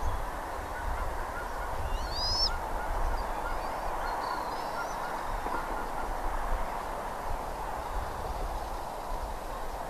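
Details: Bald eagle at Redding, recorded 17 April 2021 at 08:15: one short, high, squealing whistled call with harmonics about two seconds in, then a fainter thin note, over a steady hiss and low rumbling wind.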